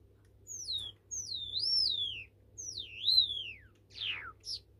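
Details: White Java sparrow, pet, recorded 5 August 2019, giving three long, high, wavering whistles that slide downward, followed by a harsh falling note and a brief high chirp, over a faint low hum.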